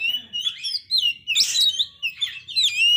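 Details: Oriental magpie-robin in failed moult, singing very actively; used to stir up other magpie-robins whose spirit has dropped. Varied whistled and buzzy phrases, rising and falling, delivered in quick bursts with brief pauses.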